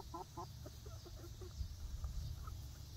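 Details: Young egg-laying hens in a freshly built outdoor run, first day out; a quick series of soft clucks early, then scattered quieter notes against low rumble.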